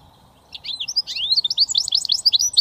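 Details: Goldfinch mule, a British finch hybrid, delivering a rapid jumble of high liquid twitters and short slurred notes that grow louder over two seconds.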